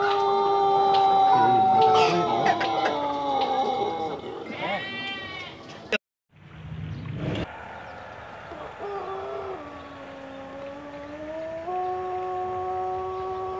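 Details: Trophy-winning Jajangkar Pelung roosters, West Java, Indonesia: overlapping crow ends and a brief clucking burst, a pause, then a fresh long crow with low drawn-out notes that dip and rise again, held steadily to the end.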